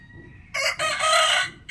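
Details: Morning crow of a rooster, one of twenty different roosters: a short harsh opening note, then a loud, raspy, sustained cock-a-doodle-doo of about half a second, over quiet background.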